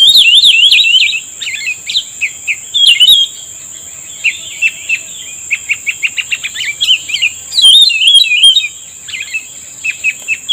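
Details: Black-headed bulbul at a trapping site answering a lure: a wavy whistled opening, then a run of quick repeated chirps, then another looping warble, over a steady high tone.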